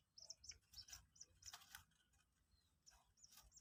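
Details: Captive Common Moorhen chick aged two days, during a feeding lesson with prepared feed: a quick burst of high piping peeps mixed with sharp taps, then a pause and two more peeps.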